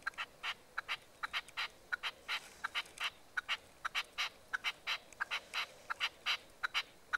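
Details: Nightingale singing, recorded 12 March 2015, in a steady train of short, sharp, buzzy notes delivered in quick pairs and triplets, almost continuous for several seconds, over low background hiss.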